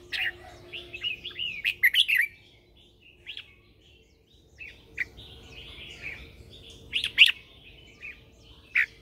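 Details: Competitive morning singing of a red-whiskered bulbul lure bird calling others: repeated bouncy, slurred whistled phrases and sharp chips in clusters, with brief silences and a faint steady tone behind.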